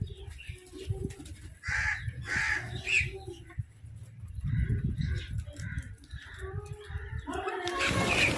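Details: Crows fighting over food, giving harsh repeated caws in bursts around the middle and end, with shuffling, clattering background noise throughout.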